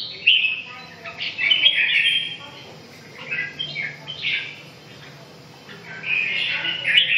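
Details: A red-whiskered bulbul sings in bursts of lively, squeaky chirps and warbles separated by brief pauses, the phrases rising and falling quickly, over a steady low hum.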